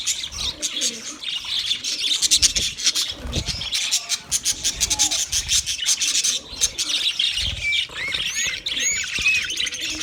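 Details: Several budgies chatter in a raspy, busy stream of rapid scratchy chirps, with a few clear upward-sliding whistles toward the end and soft lower warbling notes in the background.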